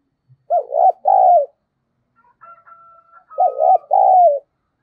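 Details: Lure recording of spotted dove cooing to make other doves call: two pairs of loud, rounded coo phrases separated by a pause holding a faint, steady, higher tone.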